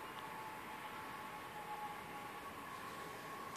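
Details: Quiet steady hum with a faint sustained tone and soft background hiss; no animal voice stands out.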